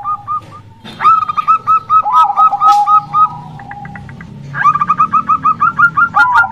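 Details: Female zebra dove of local stock, used to attract males: quick bursts of bright repeated coo notes separated by a quieter pause with soft ticking sounds, then a final fast series.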